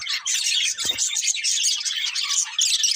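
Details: Pet budgerigars, a colourful breeding pair, giving a short burst of constant high chirping and scratchy squawks, with one brief low knock near the start.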